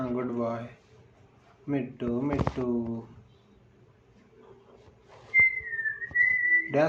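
A rose-ringed parakeet talks in three short bursts of nasal, voice-like syllables, then gives a long, clear whistle that dips slightly and rises again. The setting is an indoor room.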